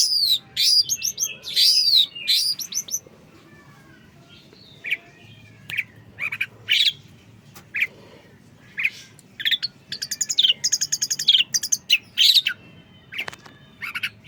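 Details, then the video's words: Long-tailed shrike (pentet) from Indonesia with a full, varied song repertoire: dense, scratchy high chatter at the start, then scattered sharp chips, thin whistles and short trilled bursts separated by brief quiet gaps. "pentet full materi mewah"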